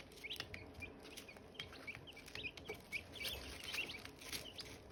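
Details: Silkie chicks near hatching eggs chirping steadily, high thin peeps roughly two each second, several birds calling together, with light tapping noises and a low background hum.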